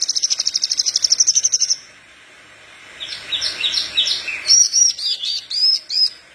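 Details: Lure recording of a parva Horsfield's bush lark singing hard for young larks: a fast even high trill, a pause, then a string of varied chirping and twittering phrases.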